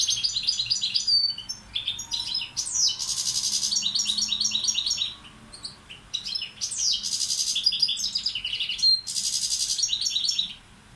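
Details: A tutor goldfinch of the balcanica subspecies repeats lengthy song rounds of quick twittering chirps and harsh buzzy rasps, separated by short pauses, over about eleven seconds.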